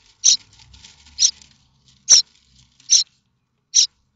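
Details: Begging from common starling nestlings at Théding, France, in May 2024, the chicks waiting for a parent with food. Five loud, high, scratchy calls roughly once a second, with faint soft rustling and scraping in the nest between them.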